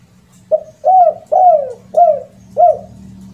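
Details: Spotted dove giving its lure call with the uncommon 'kuk 2 and kuk 3' ending: five hollow coos, a quick opening note, two long falling coos, then two shorter rounded ones.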